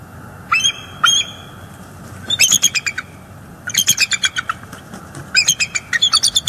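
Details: Bald eagles on a live nest cam in northeast Florida, 18 December 2022, as an adult female chases juvenile eagles from the area: two single high notes, then several bursts of rapid, high, piping chatter with short pauses between them.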